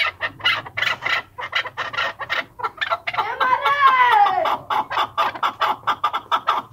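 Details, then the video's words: Chukar partridge in excited state giving rapid, harsh chuck notes about four per second, broken midway by one longer, drawn-out call that rises and falls. "چکور کی مستی اور آواز partridge beautiful sounds"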